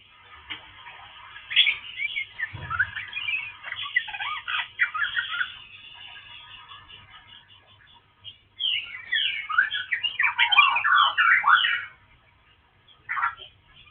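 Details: Dark-form Oriental magpie-robin pouring out a long, varied song of rapid warbled, scratchy and whistled notes in two bursts separated by a short pause, with a faint low hum in the background.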